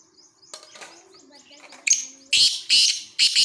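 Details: Black francolin giving harsh, rasping bursts, three loud broad notes in quick succession, preceded by faint twittering from small birds.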